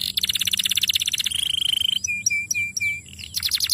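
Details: Young canary song used as a lure to prompt long rolls: a fast trilled roll of rapid repeated notes, then a steady whistled tone, a series of clear chip notes, and another fast trill.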